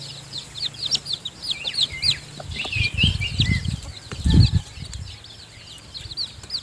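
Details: Newly hatched chicks being fed by the hen in her nest; dense high peeping continues over the clip while low, muffled thumps like wing flapping or shuffling swell in the middle.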